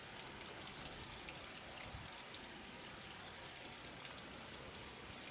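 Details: Common kingfisher recorded in May or January 2024: two short, shrill, high whistled notes, one near the start and one at the end, separated by several seconds of steady rushing water.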